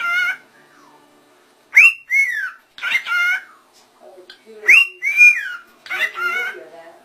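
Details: Ring-necked parakeets known for clear talking, saying "Allah". Hoarse, voice-like whistled syllables come in two phrases, each a quick rising note followed by a bent falling one, separated by scratchy chatter.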